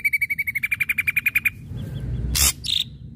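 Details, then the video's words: Ashy drongo lure song: a rapid run of sharp, repeated whistled notes for about a second and a half, then a short pause, soft notes and a loud burst of broadband noise with a brief high squeal. "srigunting abu abu gacor PANCINGAN PUKULAN TAJAM"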